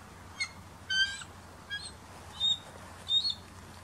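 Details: Female bald eagle perched on a branch near her eaglets gives five brief bursts of thin, high, squeaky chirps over about four seconds, sounding off as a red-tailed hawk flies at the field's edge; faint low hum underneath.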